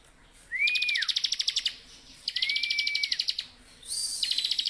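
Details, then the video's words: Continuous ngebren song from a Bar-winged prinia: a flat whistle slurring down into a fast buzzy trill, repeated three times, with the trills running almost back to back. "ciblek gacor full.. ngebren"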